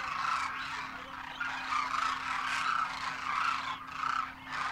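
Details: Wild Demoiselle Cranes in a large wintering flock in Rajasthan, India, adults with first-year juveniles, trumpeting in flight: overlapping rolling, nasal calls from many birds form a continuous cacophony with steady background hum.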